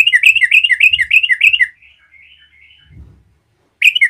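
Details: Lively yellow-vented bulbul song meant to stir up rival bulbuls. A quick run of about a dozen bubbly notes that rise and fall lasts nearly two seconds, then quiet warbles, a dull low thump, and a fresh burst at the end.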